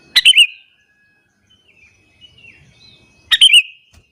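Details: Sooty-headed bulbul in morning song meant to provoke other bulbuls: two short, liquid chirping phrases about three seconds apart, with faint distant bird notes in between.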